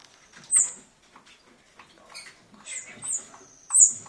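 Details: A rescued young European bee-eater, this year's fledgling from Hortobágy with a broken left wing, being hand-fed in rehabilitation in August 2014, gives thin, very high squeaky calls in short bursts, about four in four seconds, amid soft clicks and handling noise.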